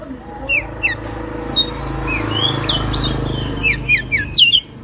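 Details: Pied bushchat, also called a mini magpie-robin, singing eagerly and opening its wings: scattered short whistled slurs and chirps, sparser toward the middle, over a noisy rumbling background.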